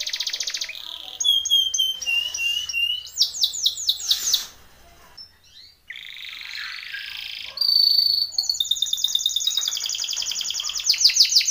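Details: Timbrado canary in a training song delivering varied rolled tours, a brief quiet pause midway, then a long whistled note and a fast bright pulsed trill.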